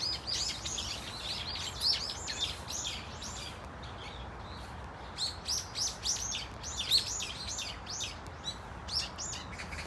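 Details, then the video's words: A flock of brown-eared bulbuls (Microscelis amaurotis) at Dunsan Grand Park, Korea, gives loud, shrill, overlapping squeals and chirps at a high pitch, many callers at once over a soft background hiss. "직박구리 무리 다양한 울음소리 Brown-eared Bulbul sound of crying"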